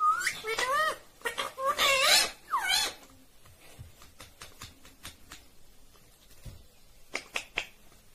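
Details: Talking green Indian ringneck parrot gives a burst of quick, harsh, word-like syllables with rising hooked tones for about three seconds, then soft clicks and ticking, and a few more short sharp notes near the end.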